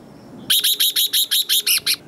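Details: Competitive 'ché' singing from a red-whiskered bulbul, used to rouse wild-caught birds into song duels: nine rapid, sharp, high chirped notes delivered in an even, fast series after a soft background murmur.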